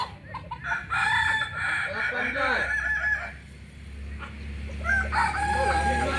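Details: Kokok Balenggek chicken, native to Solok in West Sumatra, gives a long crow of chopped, arched syllables over steady low hum, dips quieter midway, then starts another crow phrase near the end.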